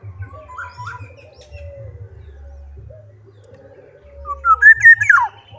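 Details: Black-naped oriole with a few soft short notes, then a loud flowing whistled phrase that climbs and warbles before dropping away. A low hum runs throughout.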